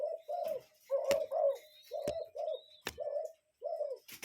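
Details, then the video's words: Wild cuckoo giving soft, hooting paired notes in quick succession, several pairs within a few seconds, broken by sharp clicks and faint thin bird twitters in the background. "Relaxing Cuckoo Bird Sound in Nature"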